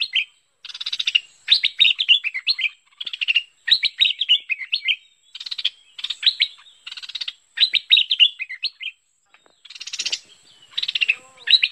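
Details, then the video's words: Lure sound for the bulbul known locally as merbah pet pet or lekir, 2021: a long sequence of bubbly, tumbling chirps and buzzy rattles in rapid bursts, with one short lull near the end. "SUARA MEMIKAT BURUNG MERBAH PET PET (LEKIR)"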